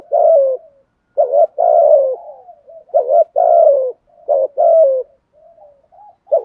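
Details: Spotted dove performing thúc gù cooing: several phrases, each a short double note followed by a long mellow coo gliding lower, with faint warbling murmurs trailing after them. No background noise.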